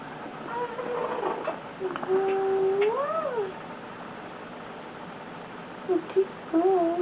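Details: Contented pet male eclectus parrot lying on its owner gives a long whistled tone that swells into a rising and falling arch, then after a pause short wavering whistles.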